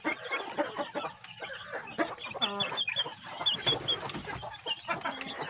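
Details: Big kampung chicks raised with quality feed make a lively mix of clucks, stacked harmonic calls and high squeaky chirps, densely overlapping without pause.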